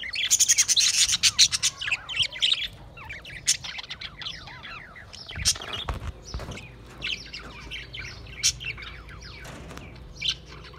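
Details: Budgies recorded 28 April 2023 open with a loud, rapid ticking trill of about four notes per second. Looser chirps, twitters and slurred whistles from several birds follow at lower volume.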